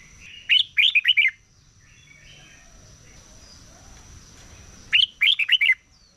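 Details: Morning competition song of a red-whiskered bulbul: two short bursts of four or five rapid, liquid, warbling notes about four seconds apart, over quiet background with a thin constant high hum.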